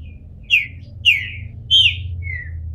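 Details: Bald Green-winged Saltator kept in captivity in Brazil, just leaving its moult, gives three loud, clear downslurred whistles about half a second apart, then a fainter short closing note, with a low background hum.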